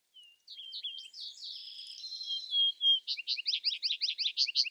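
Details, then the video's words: Vesper sparrow song: a few soft, slurred whistled notes, then a buzzy, jumbled middle section, ending in a fast series of about a dozen sharp, repeated high chips. "Vesper Sparrow Bird Sound Bird Song Bird Calling, Chirps"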